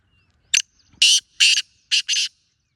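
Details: Black francolin calling: a harsh, grating phrase of five rasping notes, one short click-like note, then two paired bursts of two, all high and buzzy over a quiet background.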